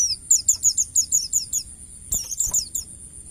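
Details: Wild white-eye master song: loud, evenly paced series of high downslurred whistles, about three per second, broken by a soft thump, then a few more notes, with a steady high hum throughout.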